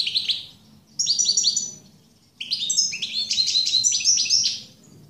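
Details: European goldfinch singing bursts of bright, twittering, slightly buzzy notes, a short phrase followed by a longer fast-tumbling run, over a low background hum.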